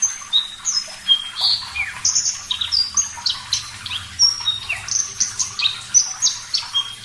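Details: Javan bush lark, parva form, singing continuously and clearly: a varied medley of bright whistles, quick upward and downward slurs and short buzzy notes, closely packed with few pauses.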